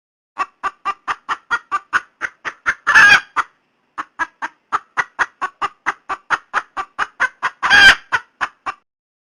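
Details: Female red junglefowl calling for a mate: a steady series of short, sharp clucks about four per second, with two louder harsh squawks breaking in around the third and eighth seconds.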